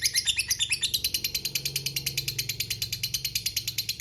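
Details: Lovebird in a long ngekek trill, a fast, scratchy stream of shrill pulses, with a steady low hum in the background through the middle.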